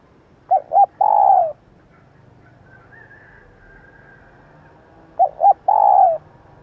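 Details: Female spotted dove voice used to get decoy birds calling quickly: twice, two quick soft notes lead into a drawn-out, gently descending coo, with a faint higher thin sound in the pause between.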